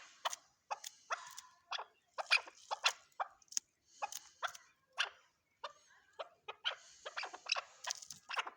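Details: Chukar partridge giving a long run of sharp, staccato chuk notes, spaced irregularly with brief pauses, clear against a quiet background.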